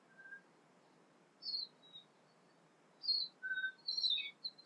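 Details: A Tūī sings at sunrise in early morning in New Zealand, with various other birds. It gives a halting phrase of varied notes: a low pure whistle, then clipped high chirps and squeaky bursts, over a faint steady hiss.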